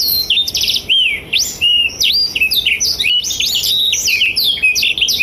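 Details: Blackthroat singing energetically as a tutor song for young and adult canaries: a rapid, unbroken run of high, varied whistles, sharp upswept notes and quick trills, with no other sounds.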